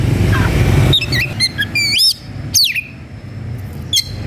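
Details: Oriental magpie-robin, aroused and looking for a rival to fight, gives a short burst of looping whistled notes and a steep descending slur, then a lone high chip, over steady low rumbling noise.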